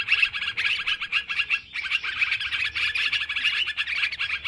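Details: Sooty-headed bulbuls in noisy lure calling: pulsing bursts of bubbly chirps, with a short gap after about one and a half seconds before the chatter resumes.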